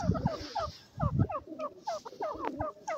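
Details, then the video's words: Francolin (teetar), locally called the methi boli, giving a series of short rising, whistled notes repeated quickly in irregular bursts, with low rumbling thumps underneath. "methi boli teetar ki,silver francolin ki awaz"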